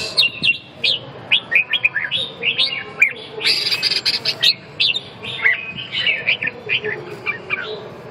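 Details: Red-whiskered bulbul song of lively chirpy whistled notes, rising and falling, given in short bursts over a steady low background hum.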